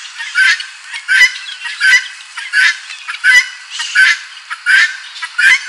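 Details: A farm helmeted guineafowl singing loudly, with harsh, grating two-part cries, eight in a row, one about every 0.7 seconds.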